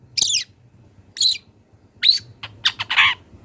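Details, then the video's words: A long-tailed shrike sings in the wild, used to train songbirds. Scratchy, harsh notes come spaced about a second apart, then a faster closing burst of clipped calls, with a soft low hum behind. "CENDET GACOR BONGKAR ISIAN | MASATERAN CENDET BURUNG LIAR"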